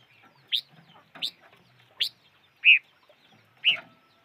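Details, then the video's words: Chim ngũ sắc, the five-coloured bird, calling: three sharp, rising chips about two-thirds of a second apart, then two louder, rounded whistled notes, against faint background murmur. "Suab noog rheeb quaj chim ngũ sắc"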